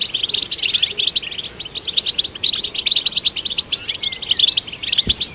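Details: European goldfinch singing to stimulate other goldfinches: a rapid, continuous twittering of high, tinkling chirps and trills, with quick buzzy notes and brief liquid whistles woven through it, and no other sounds.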